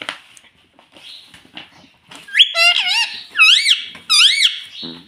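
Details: Caged pet rose-ringed parakeet talking indoors, taught to say "mummy papa": loud, shrill, wavering voice-like phrases, three bursts in quick succession after soft background sounds.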